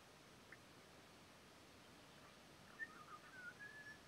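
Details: Male Red-rumped Parrot at Patchewollock Conservation Reserve, Victoria: after a quiet start, a sharp short whistle is followed by a few brief chirps and then a level, drawn-out whistled note near the end, over a steady hissing background.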